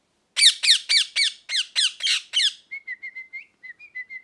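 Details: Parrot giving a fast series of about eight loud, harsh squawks, each with stacked bands of overtones and repeated roughly four times a second, then a quieter run of short, thin whistled chirps at a steady pitch. The background is silent.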